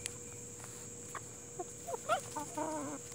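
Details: Plymouth Rock and Hamburg chickens: quiet at first, then a cluster of short, bending calls and soft, wavering clucks in the second half, set against a steady hiss and faint hum.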